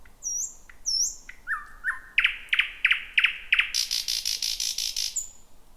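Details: Night song of a thrush nightingale, first heard in 2026 near midnight in a jungle-like tangle of bushes: high descending whistles, a low held note, then a run of loud rapid clicks followed by a harsh, rhythmic rattling phrase.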